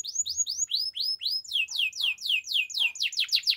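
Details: Belgian canary in morning song, delivering a long series of rising-then-falling whistled slurs that grow louder and faster, about three notes per second at the close.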